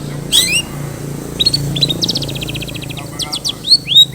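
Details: Long-tailed shrike song with mimicry, used as a lure for other shrikes: scattered high chirps, a quick buzzy rattling series in the middle, then rising and falling squeaky whistles near the end.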